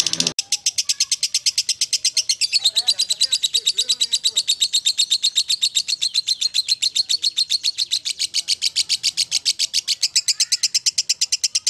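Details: Lovebird giving a long, clear ngekek: nearly twelve seconds of continuous, very rapid, high buzzy chatter, with a brief twittering change near the start.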